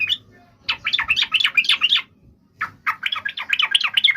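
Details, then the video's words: Yellow-vented bulbul delivering two energetic bursts of looping, up-and-down chirps, each lasting over a second, with a short quiet break between. "SUARA BURUNG TRUCUKAN"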